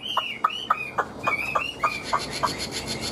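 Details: Caged Hwamei kept as a songbird, described as singing very well and fighting well: a quick series of short clipped notes, about three per second, each joined by a bending whistled slur.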